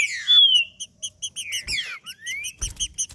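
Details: Green-winged saltator giving macheando song to stimulate other trinca-ferros: a bright falling whistle opens, then a rapid even series of short high chips, a rising slurred whistle and a couple of clicks.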